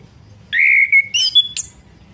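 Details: Orange-headed thrush song played to stimulate a bird that has stopped singing: a long clear whistle held level, then quick higher twittering notes and a final sharp high-pitched flourish, over a faint low hum.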